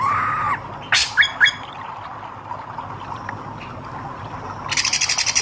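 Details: Hair-crested drongo with red eyes in vigorous song: a short whistled note sliding downward, then three sharp ringing notes in quick succession, and a rapid buzzy rattle of repeated bright notes near the end over steady low hum.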